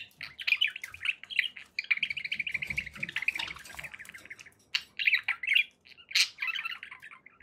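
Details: Pet budgerigars chirping in a steady warbling stream of rapid, buzzy notes, with sharper squawks breaking in near the end.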